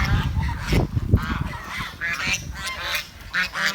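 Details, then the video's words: Short, harsh honking calls from village swans come in quick uneven bursts, mixed with low thumps and handling noise. "The Chirping Sound of The Village Swan"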